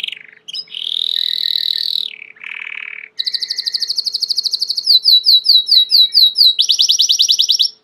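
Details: Belgian canary, a domestic canary, in loud varied song: a long buzzy note, a lower rolling trill, then rapid repeated notes and slurred whistles in quick series.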